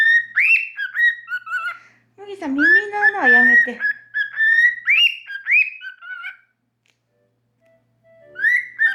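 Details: Pet cockatiels, a normal pied and an albino born in 2019, are sleepy on a dark, rainy afternoon, then wake and whistle bright learned tunes such as the Mickey Mouse March toward the owner's ear, with a brief lower, voice-like passage.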